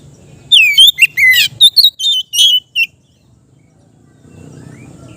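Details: Oriental magpie-robin giving a calm ngeplong song for training raw kept birds: sweeping whistles, a grating buzzy note, then a quick string of bright clipped whistles. Silence follows, then a low rumbling background.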